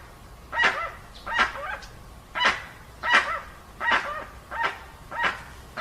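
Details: Dusky-legged guan heard cleanly, giving eight loud, rasping honks in an irregular rhythm, some followed by a brief lower tonal tail.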